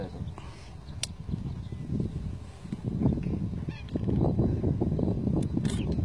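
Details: Bar-headed geese on migration in Pakistan: a flock gives scattered nasal honks that thicken in the second half, over a heavy low rumble.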